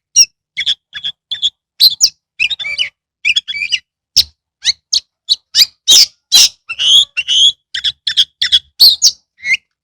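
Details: Oriental magpie-robin (kacer) in energetic 'gacor' song, recorded in Kebumen, Indonesia, as a lure for lazy birds: rapid, varied bursts of sharp whistles, harsh squawks and chattering phrases, tightly packed with short pauses, high-pitched and loud throughout.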